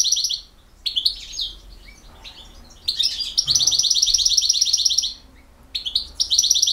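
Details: Song of a European goldfinch from Bosnia and Herzegovina, a field-type singer: bright tinkling phrases, then a long fast rattling trill held for about two seconds, a pause, and another ringing trill.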